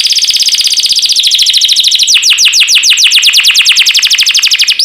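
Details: Training recording of a champion canary: a dense buzzy roll of rapid falling notes that shifts midway into a slightly slower, clearer series of downward sweeps, closing with a rising whistle.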